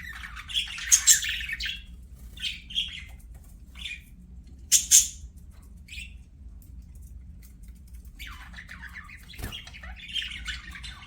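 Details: Budgerigars at play make sparse squawks and short chirps with long quiet stretches between them, two sharper, louder calls standing out, and a few softer warbled notes near the end.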